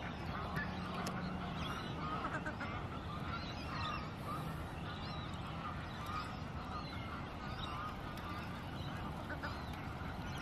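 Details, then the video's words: Australian wood ducks squabbling in Melbourne's suburbs, Victoria, Australia: several overlapping nasal, bent calls in the mid range, steady low background rumble and faint chirps from other birds. "Australian Wood Ducks Having A Little Argument"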